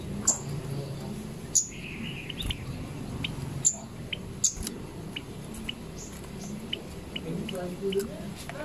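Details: Zitting cisticola (cici padi) giving sharp, very high 'zit' notes at uneven intervals of one to two seconds, with softer bird chirps and low background noise.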